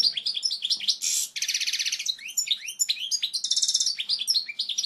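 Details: European goldfinch singing its pure, powerful original song for tutoring chicks; a continuous fast stream of chirps, upward-sweeping notes and two harsh buzzy rattles.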